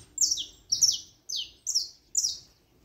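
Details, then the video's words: Five crisp, high-pitched notes from a saffron finch, each a bright chirp sliding steeply downward, spaced about half a second apart in a quiet setting. "cantos canário da terra"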